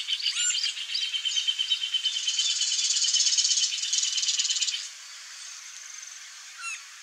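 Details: Green-barred woodpecker, a male at the nest, giving a rapid buzzy run of repeated notes for about three seconds mid-clip. Thin squeaky calls come just before and after it, with high chatter throughout.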